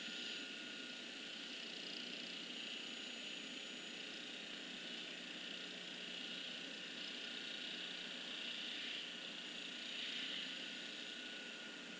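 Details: Steady broadband hiss with a faint mechanical hum throughout, and no animal calls heard.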